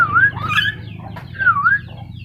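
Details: Black-capped lory: two clear, dipping-then-rising whistles about 1.5 seconds apart, with softer chirps between them and a low steady hum behind.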